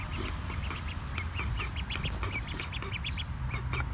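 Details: At a Cape Cod, Massachusetts wildlife rehabilitation centre in June 2019, a single mallard duckling gives rapid, high, thin peeps as a non-releasable female foster mother with a deformed foot chirps back at their reunion, over a low rumble.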